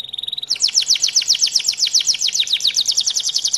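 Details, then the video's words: A canary sings a fast, bright series of repeated high downslurred notes, about four per second, after a brief steady buzzy trill. "canary bird song ♪ kanarya melodik olarak cıvıldıyor • канарейка мелодично щебечет"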